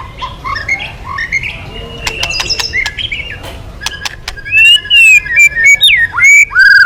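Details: White-rumped shama singing strongly to lure other birds into song: short whistles and sharp clicks, then loud rising and falling whistled phrases repeated at the end.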